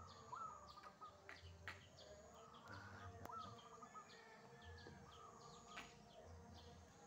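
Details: Wild zebra dove singing actively in the morning. Several short trilled, rolling coo phrases are scattered through the recording. Many quick high descending chirps from other small birds continue throughout, over a low background hum.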